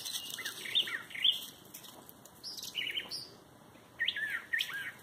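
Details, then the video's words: Outdoor bird, believed not a mockingbird, calling with sharp high chirps and slurred whistled notes in short bursts separated by brief pauses, with a constant thin hiss behind. "Bird sounds"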